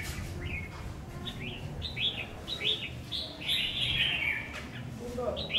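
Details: Newly acquired decoy red-whiskered bulbul being tested beside a house, giving a run of quick whistled phrases. Each phrase rises and then dips, repeated about every half second before a fuller warbled burst, with low background rumble.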